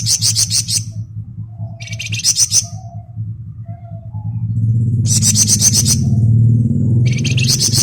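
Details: Flamboyan in energetic ngebren song, giving short bursts of fast, sharp, high rattling notes between quiet gaps with faint low whistles, while a low droning hum swells in the second half.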